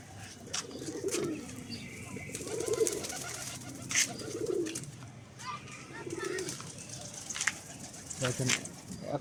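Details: Farm pigeons, one female with two males competing for her, giving soft low cooing phrases about every one and a half to two seconds, with clicks, wing or foot noises and a hen nearby.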